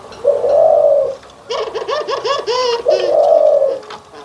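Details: White and brown Barbary doves compared in their anggungan coo: a long low coo, a rapid run of short harmonic notes, then another drawn-out coo.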